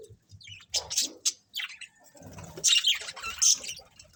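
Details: Colony of colourful budgerigars chirping, with loud scratchy chirp bursts and short whistled notes, separated by brief gaps and low background rumble.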